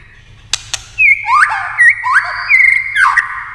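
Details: White-rumped shama in competition song: two sharp clicks, then a series of three or four curling, liquid whistles sliding up and down, each about half a second apart.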